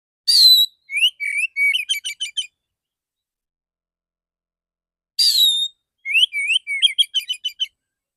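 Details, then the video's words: Male Oriental magpie-robin in clear, open "ngeplong" voice singing "dor dor" shooting-style phrases twice. Each phrase opens with a harsh rasp, then rising whistles and a rapid string of sharp staccato notes. A pause of about three seconds separates them. "burung kacer jantan dor dor tembakan full suara ngeplong jernih"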